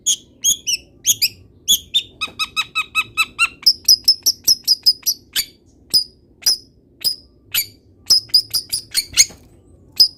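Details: Long-tailed shrike song rich in mimicry of wild birds: a rapid, evenly spaced series of harmonic chattering notes, then a long steady sequence of thin high whistled pips repeated roughly every half second.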